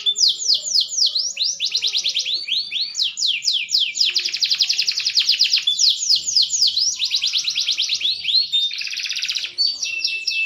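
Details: Green canary, maturing, in full song: long bright sequences of falling sweeps alternate with dense buzzy trills and a few clear whistled tones.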